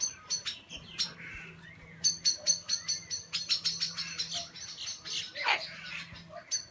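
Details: Small black birds swooping on a kookaburra in a tree, likely defending a nest it may be raiding, give harsh, scratchy chirps in quick bursts, several per second, with high tinny notes mixed in, over a low steady hum.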